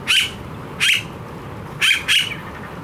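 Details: Harsh rasping notes from a Blue-faced honeyeater in Australia, a very vocal bird: four loud calls, two well spaced and then two in quick succession.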